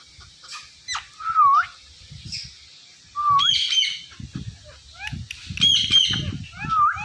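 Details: Indian ringneck parrot mimicking words, giving curved whistled notes that dip then rise, several raspy squawking syllables and a final whistled dip, with low murmuring and knocking underneath.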